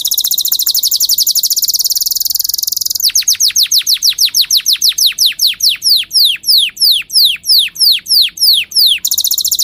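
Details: Canary song meant for teaching young birds and preparing females for breeding: a very fast high, buzzy trill, then a long run of sharp descending whistled sweeps that quicken toward the end, closing with the fast trill again.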